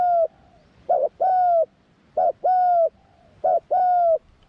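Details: A young spotted dove being trained on its first outing in the forest coos rhythmically. A brief double note leads into a long, smooth, slightly descending coo, repeated three times against quiet background.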